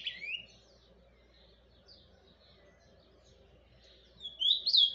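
Ultramarine grosbeak giving its soft, subdued song: brief high, sliding whistled phrases at the start and again near the end, with a low steady hum between.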